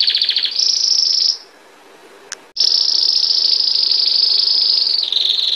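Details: Belgian canary singing bell-like song, long high rolling trills, briefly pausing, then resuming a sustained trill that drops slightly in pitch at the end.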